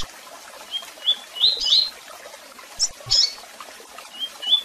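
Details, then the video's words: Double-collared seedeater in tui tui song style, with chirps and calls: a quick series of clear upslurred whistles, then abrupt high chip notes and soft whistles trailing off, over faint clicking. "Canto de Coleiro Tui Tui Com Piado e Chamados"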